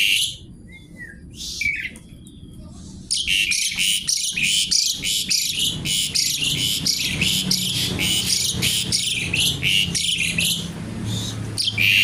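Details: Javan pied starling singing a lively kretekan-style song: after quiet scattered notes, a dense stream of harsh, buzzy, crackling bursts repeated several times a second, with a low hum underneath.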